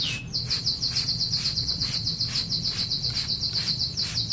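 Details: Young canary, three months old, singing in the merlok style: one short rising note, then a long, fast, even trill of high notes held unbroken for about four seconds, over steady rhythmic rubbing and low background hum.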